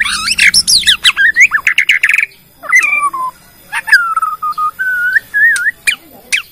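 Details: Bornean white-rumped shama song used as a lure to draw other shamas into singing: a fast burst of sharp, high chattering notes, then a pause, followed by long sliding whistles rising and falling, with scattered clicks.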